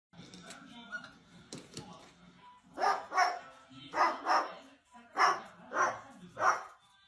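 A parrot imitates a dog with seven rough, mid-pitched barks, mostly in quick pairs about a second apart, after a few seconds of faint murmuring voices.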